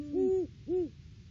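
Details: Wild great horned owl pair at their nest tree on a live camera, 3 December 2022, off-season before February egg laying, duetting: two deep, soft hoots, the first longer and falling slightly at its end, with a short gap between.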